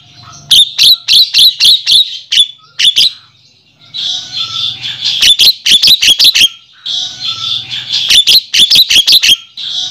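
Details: Javan myna calls used as a lure in the wild to draw in males: bursts of six to eight sharp, clicking chirps alternate with raspy, hissing chatter, the pattern returning roughly every four seconds.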